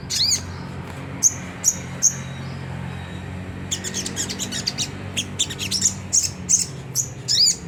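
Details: Rough ngriwik song of a Sunda whistling thrush meant to set caged birds singing: spaced thin whistled notes with wavering sweeps, then a run of rapid high chirps and more whistles, over a low hum.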